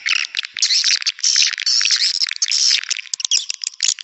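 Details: Swiftlet lure call used to attract swiftlets, dense overlapping high twittering and buzzy chirps in long unbroken bursts, ending in scattered separate clicks and chirps.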